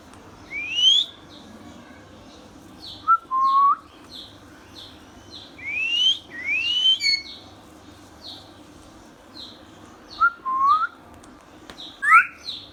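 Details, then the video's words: Talking ringneck parrot kept as a pet, making scattered whistles: quick upward sweeps and short wavering notes in irregular bursts, each trailed by faint echoes, with a soft steady hum behind. "Ringneck Parrot natural sounds"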